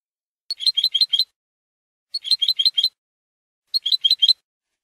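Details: European goldfinch singing in the malagueño manner, a recording meant to educate young goldfinches: three separate tight clusters of bright twittering notes, each about a second long, spaced by clean silences.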